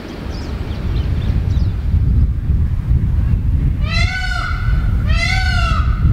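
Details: A free-roaming Indian peafowl calls in the background while a male and female groom each other in the morning: two loud, nasal, wailing calls about a second apart, each rising then falling, over steady rumbling wind.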